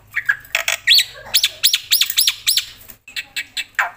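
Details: Black-winged myna, a loud singing bird, delivering a varied burst: harsh buzzy notes, then a run of clear whistled upslurred notes repeated about every quarter second, ending in scratchy chatter.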